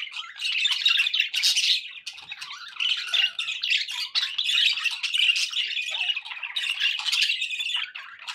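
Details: Pet budgies in continuous warbling chatter, grating and squeaky, with short whistled notes mixed in and a brief lull just past the two-second mark.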